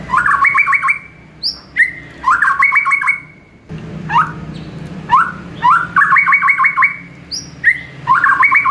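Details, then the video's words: White-rumped shama morning song meant for training caged birds: fast buzzy trilled phrases, upslurred whistles and high thin notes, repeated in bursts every second or two, with low background noise. "MASTERAN MURAI BATU PAGI HARI"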